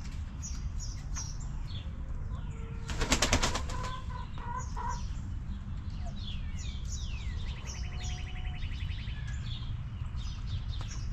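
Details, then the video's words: Backyard chickens relaxing around their coop, hens giving soft, scattered clucks over a low constant rumble, with a brief loud broadband clatter and a fast, buzzy trill from a small bird. "Rooster Crowing! Hens Clucking!"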